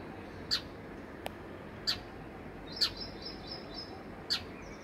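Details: Four brief high chirps from sparrows near their home in summer, each a clipped single note, spaced unevenly at roughly one-second gaps, with a faint tick and soft background hiss.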